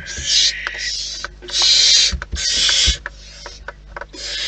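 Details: At a wild barn owl nest, several harsh hisses of varying length come in irregular bursts, mixed with soft clicks, taps and shuffling thumps from movement inside the nest.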